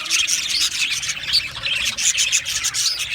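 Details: Budgie chirping and singing: dense, scratchy high-pitched chatter with quick twittering notes and a few clear whistled squeaks, packed tightly together without a break.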